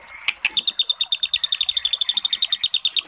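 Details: White-rumped shama recording meant to provoke a reluctant bird into singing; a rapid run of high, sharp ticking notes, about three per second, steady and unbroken after two opening chirps.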